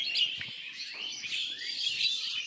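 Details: A dense dawn chorus of common mynas on a foggy morning with a gentle breeze, overlapping harsh chirps and squeaky whistles running continuously, with a faint low rumble beneath.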